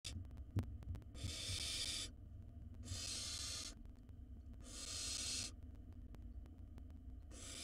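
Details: Wild barn owl nestling in a monitored nest box, eating a mouse whole: four harsh, breathy hissing screeches about a second long, roughly every two seconds, over a steady low electrical hum.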